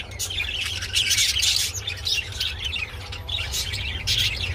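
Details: Budgies mating give harsh squawking bursts mixed with chirps, louder clusters at about one second and near the end, over a low persistent hum.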